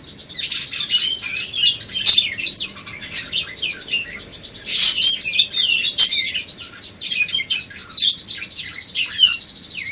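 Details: Pet budgerigar in full warbling song for teaching other cage birds: a long, soft, rolling chatter of high buzzy notes, punctuated by a few loud sharp clicks and squeaky whistles.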